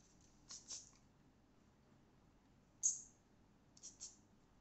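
A conure mimics a spray bottle: short, breathy hisses in pairs, one sharp hissing burst, then another pair, all high-pitched against a quiet room.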